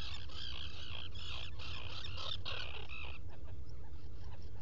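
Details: A Black guillemot at its nesting burrow on Seal Island NWR, Maine, in early morning of 5 July 2018 (burrow cam), gives thin, high, wheezy whistles for about three seconds, then falls quiet over a steady low rumble.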